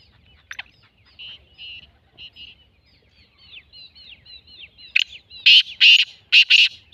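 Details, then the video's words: Black francolin calling: after soft high chirps from small birds, a loud series of five harsh, grating bursts near the end, closely spaced and rhythmic. "کالا تیتر کی آوازوں والی ویڈیو"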